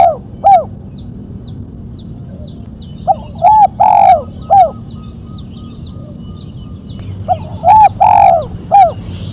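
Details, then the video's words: Spotted dove singing the sharp 'mercik' style with one 'kuk', kept for luring and training: two phrases of arched coos rising to a long swelling note, while a small bird repeats thin high chips throughout. "Burung tekukur suara MERCIK kuk 1 tajam"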